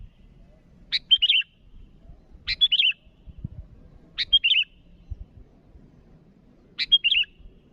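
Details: Sooty-headed bulbul calling rivals: four short, bubbly whistled phrases, each opening with a sharp note, separated by pauses of one to four seconds, with muffled low noise underneath.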